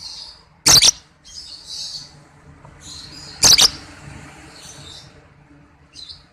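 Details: Pet lovebird, ngekek trill song used as a master recording for training birds: short high chattering trill phrases alternate with loud paired harsh chirps, the pairs roughly three seconds apart, with a faint hum underneath.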